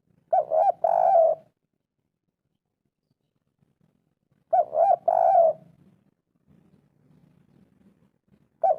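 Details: Spotted dove kuk 3 phrase, played so that sluggish birds answer: paired arched coos and a sustained coo, heard about every four seconds, with faint low rumbling between phrases.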